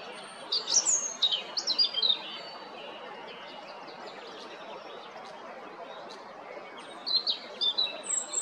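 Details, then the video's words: European robin in song, recorded 13 April 2022 at Jarun, Zagreb, Croatia: high, thin, rapidly varied twittering phrases, a pause of several seconds, then another burst of sharp, sliding trills over quiet outdoor hiss. "Ptice Hrvatske - Crvendać (Erithacus rubecula) (Birds of Croatia - Robin)"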